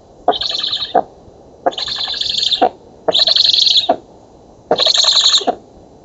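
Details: Young black storks at a feeding, oak nest, Poland, 11 August 2017: four buzzy, slightly pulsed hissing calls, roughly one every second and a half, each starting and ending with a crisp click.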